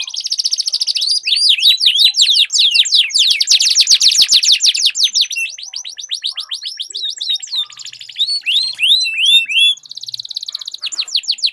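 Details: Kenari ngerol panjang from canaries in a duel: a buzzy opening becomes a long, loud, rapid trill, followed by a scattered series of separate rising and falling slurred whistles.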